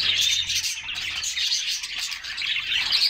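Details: Group of canaries singing while splashing in a summer bath: dense, continuous high twittering and chirping with overlapping trills from several birds, no pauses.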